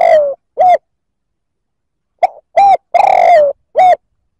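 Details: Spotted dove coo meant to provoke males: the tail of one phrase with a falling drawn coo and a short coo, a pause, then a full phrase of a soft note, clear coo, long falling coo and final coo.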